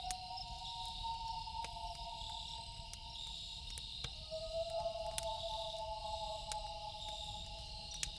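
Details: Loons calling at night beside a campfire: a long steady wail for four seconds, then a brief break and a new wail that swells and holds, with crickets humming high and fire crackles throughout.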